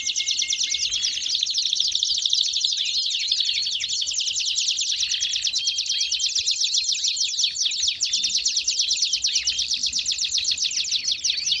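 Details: Belgian canaries keep up a sustained, high trilling chorus, fast twittering notes interlaced with short flat whistles, loud and continuous.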